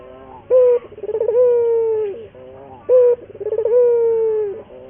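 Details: Local collared dove used as a lure song to train other doves to sing readily: two phrases, each opening with a short steady hoot, then a quick stuttering run sliding into a long drawn-out mellow coo, repeating roughly every two and a half seconds.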